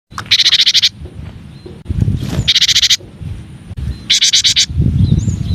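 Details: Cinereous tit (gelatik batu, gelatik wingko) masteran song, one of nine variations: three bright, rapid bursts of high repeated chirping notes, each under a second long. Steady low rumbling noise sits beneath the bursts.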